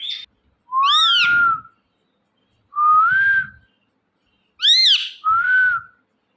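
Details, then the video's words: Indian ringneck parrot making natural sounds: three bursts of whistled, chirping calls, each opening with a bright harmonic-rich note that slides up and down, followed by a smoother rising whistle, spaced roughly two seconds apart. "Ringneck Parrot Chirping And Making Natural Sounds"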